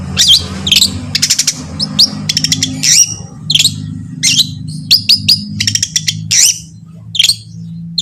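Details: Long-tailed shrike song meant to set other shrikes singing: loud, high, sharp chattering phrases and piercing whistled notes in bursts, some fast rattles, over a steady low hum in the background.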